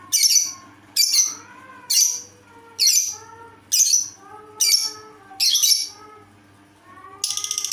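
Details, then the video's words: Strange-sounding lovebird calling in a run of eight harsh, high squawks roughly every 0.8 seconds, scratchy and noisy, ending in a faster, buzzing rattle. "Lovebird dengan suara aneh"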